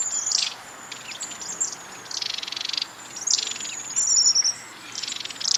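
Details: Long-tailed tit keeping contact with its group through short, repetitive high-pitched calls; thin sustained whistles and several soft buzzy bursts, partly masked by steady background noise.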